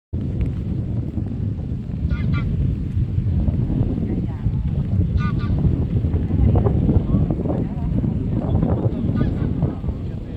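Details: A greylag goose (Anser anser) left behind by its flock gives a few loud, nasal honks spaced a few seconds apart, half-buried under a heavy, steady rumble of wind.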